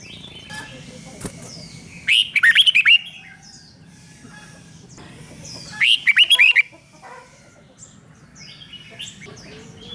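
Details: Caged Red-whiskered Bulbul singing in the 'rik' style, played to excite other caged birds: two bursts of five or six quick, bright, warbled notes, each dropping in pitch, about four seconds apart, with faint chirps between.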